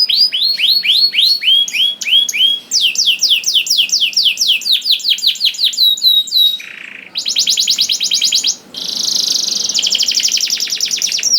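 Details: Canary song played to make other canaries sing: varied tours of arched whistles, quick chirped series, a brief low buzz, then long harsh rapid trills separated by short pauses.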